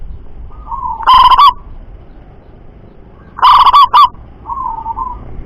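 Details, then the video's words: Two loud, rolling coo phrases from a local zebra dove, roughly two seconds apart. Each is a burst of clipped stuttering notes, followed by a softer wavering coo. "Perkutut Lokal Suara Lantang Mampu Jarak Jauh"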